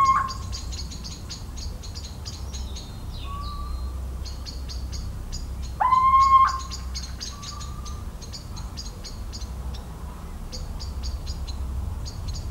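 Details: Little owl recorded in the central French countryside, 17 March 2019: one strong rising whistled note near the middle, with fainter, shorter whistles before and after, against steady rhythmic high ticking and a low background rumble.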